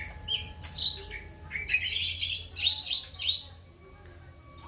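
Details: Fast, high chattering song of an orange-headed thrush, given in the tembakan style with rough material, with clusters of rapid notes and a brief pause near the end.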